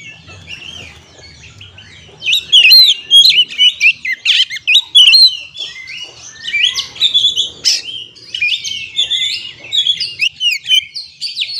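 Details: Kacer (Oriental magpie-robin) singing to lure stressed birds into song: after a quiet start, a long energetic run of loud, varied whistles, trills and chattering notes.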